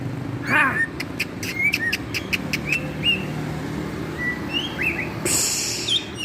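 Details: White-rumped shama singing: a quick run of sharp clicking notes, then short rising and falling whistles at irregular intervals, ending with a loud burst of hiss.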